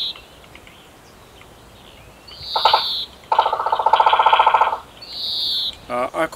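Eurasian three-toed woodpecker giving sharp notes, then a fast chattering rattle of about a dozen rapid pulses, with thin high whistled tones before and after.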